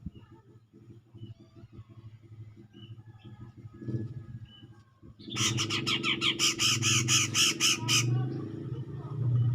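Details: Grey-cheeked bulbul singing to provoke a rival: after five seconds of low rumbling background, loud harsh buzzy notes burst out, repeated rapidly for about three seconds.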